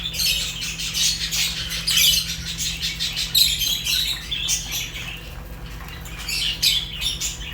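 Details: Several Fischer's lovebirds, a kind of African lovebird, chatter continuously in high, harsh, squeaky chirps that come in loud bursts about once a second over a constant low background hum.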